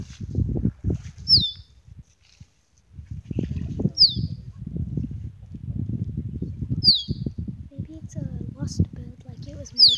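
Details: Male musk duck displaying to females at Lysterfield Park, Victoria, Australia, giving a shrill, sharply falling mating whistle about every three seconds over steady low splashing and thumping water sounds.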